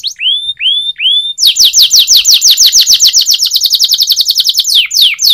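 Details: Singing canary in a training song: three clear upward-slurred whistles open it, followed by a loud, rapid run of sharply descending notes that quickens into a tight trill, then slows again.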